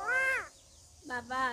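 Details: A talking common myna imitates human speech in two harsh, nasal, voice-like syllables: a higher one that slides down, then a lower, level one.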